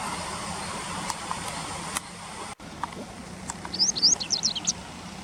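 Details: A Japanese wagtail call, sourced from a bird field guide. Quiet steady noise with a few faint ticks comes first, then about a second of rapid, high, wavering chirps near the end.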